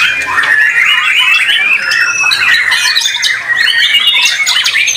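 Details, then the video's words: White-rumped shama performing in a caged singing competition, noted for its melodic rhythm and power; clear rising and falling whistled notes mixed with harsh chatters over a busy backdrop of other contest birds singing. "Murai Batu BARRACUDA Tampil Mak Nyuss"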